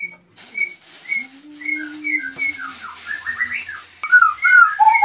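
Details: A breeding male white-rumped shama from Salaman, Magelang, Central Java, seeking to mate while the female builds a nest. Evenly repeated clear whistles over a low drawn hum build into faster warbled phrases after a sharp click.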